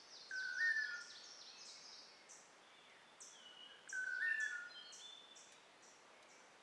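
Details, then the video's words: In Costa Rican rainforest, a long-tailed manakin calls during a courtship dance: two short, clear whistled notes with a slight upward lift, about four seconds apart, against a constant high insect buzz. "Long Tailed Manakin Bird Courtship Dance"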